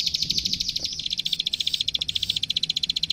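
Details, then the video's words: Plain prinia in full energetic song for training captive birds: a quick, even rattle of sharp high clicks that speeds into a steady metallic ticking, with low rumble behind. "Suara Masteran Burung Klik Klik Gacor"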